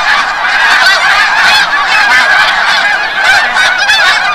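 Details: A large flock of snow geese coming back from the bay at sunset, Forsythe refuge, New Jersey, heard as loud, unbroken massed honking with countless overlapping barking notes.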